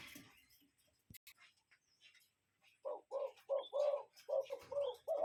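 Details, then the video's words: A cuckoo in nature gives soft, low hooting notes in a quick series of roughly paired 'cu-coo' phrases, with faint high chirps from other birds in the background. "Cuckoo Bird Sound"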